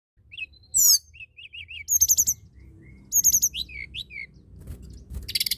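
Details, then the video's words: Tledekan gunung in full song, used to stimulate other birds to sing: rapid high, thin whistled notes, short rising-falling trills and a buzzy burst at the end, with quick phrases in close succession. "Tledekan gunung gacor!! sangat cepat merangsang bunyi burung tledekan malas bunyi"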